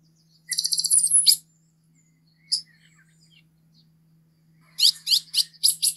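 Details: Green-headed tanager giving a rapid buzzy trill of high hissing notes, then a single chip, a long pause, and a closing series of short, sharp, descending high notes, with a faint constant hum beneath.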